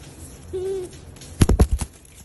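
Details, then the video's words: A Ruddy quail-dove gives a single soft, low, hollow hoot, followed by a few loud knocking thumps. "Ruddy Quail Dove"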